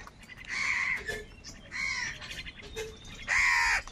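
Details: Crows fighting for food in a gathering flock; three drawn-out harsh caws roughly every one and a half seconds, the last loudest, with faint short notes between.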